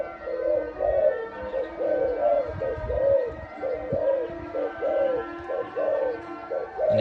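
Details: A dove known for its big voice, kept for sale, coos in a regular string of soft hollow notes, about one per second, each slightly arched in pitch, over a quiet background hum.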